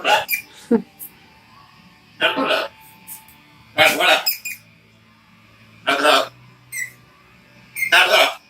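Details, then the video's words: A talking pet macaw mimics speech, uttering harsh, raspy, word-like bursts such as "hello" about every two seconds, with brief squawks between. "Parrot macaw talking"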